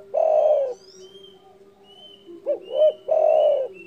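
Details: Spotted dove giving a loud call said to provoke rivals: a long husky coo near 0.5 s, then two short rising notes and a second drawn-out coo, with faint high bird whistles behind.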